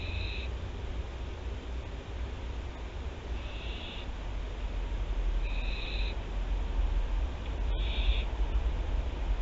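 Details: Barn owls of Théding, France, recorded 24 September 2021: four drawn-out, rasping screech calls spaced roughly two seconds apart, with a constant low hum beneath and a brief click near the end.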